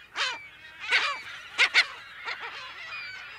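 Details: Close California gulls in their colony give distinct, separate loud squealing calls, about six spaced across a few seconds, two in quick succession, over a quieter murmur of distant colony voices. Mono.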